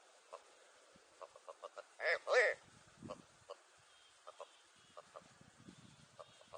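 Willow ptarmigan giving two loud, harsh, nasal notes in quick succession, surrounded by a scattered series of soft, dry clucks and ticks.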